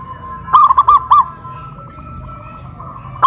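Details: Zebra dove in Kuningan, West Java, Indonesia, calling loudly after being hoisted up a pole: one short burst of four or five rapid, rolling coo notes, then quiet background hum and a final note starting.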